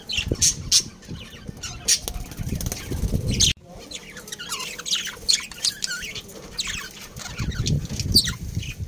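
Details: Breeding pair of budgerigars kept as a family of pets, giving busy high chirps, warbles and squeaky notes in quick overlapping bursts, with wing flapping and low rustling and thumping throughout and a brief silent break near the middle.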